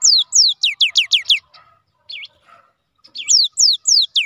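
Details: Song of a cinereous tit, or gelatik batu: a quick run of falling whistled notes, a short gap with two dipping notes, then further sweeping whistles.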